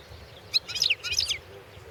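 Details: Brief phrase from a European goldfinch entered in the 2016 world goldfinch song championship: a few quick, high, twittering notes rising and falling within under a second.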